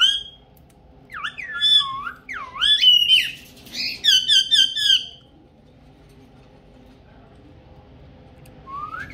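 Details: Pet ringneck parrot that speaks Urdu and Hindi, indoors; a run of rough, looping whistled phrases, then a burst of harsh squawky notes and a pause before one rising note.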